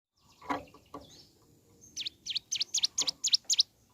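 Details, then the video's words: Mountain leaf warbler singing actively in the morning, song used to stimulate other birds of its kind to sing; a few low knocks open, then a quick series of eight sharp, high, dipping notes about four per second. "Suara Asli Ciblek Gunung Gacor Pagi Hari.Rangsang Emosi Cigun Manapun Agar Segera Bunyi"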